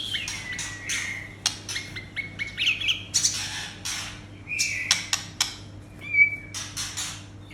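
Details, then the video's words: Captive white-rumped shama song meant to rouse aggression: varied whistles, steady held notes and sharp high clicks and rasps in quick irregular bursts, over a constant low electrical hum. "Suara menaikkan emosi murai batu"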